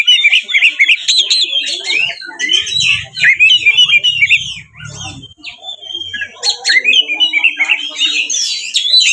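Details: Captive Oriental magpie-robin in full fighting song, used to provoke other magpie-robins into answering and opening their tails: fast, varied medley of sharp whistles, buzzy trills and chattering notes, with a short low rumbling noise midway.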